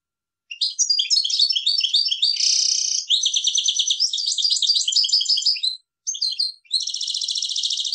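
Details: Continuous European goldfinch song, a bright, rapid jumble of high twittering notes, buzzy trills and liquid chatter, briefly broken near the end before a final buzzy rattling phrase.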